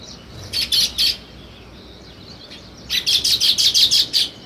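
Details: Sparrow chirping: a short run of three bright chirps, a quiet gap, then a quick burst of about ten sharp, evenly spaced chirps over a soft background hiss.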